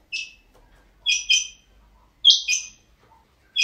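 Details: Pet rain quail gives sharp, high, metallic notes, mostly in quick doubled pairs like "whit-whit", about once a second against a quiet background; call.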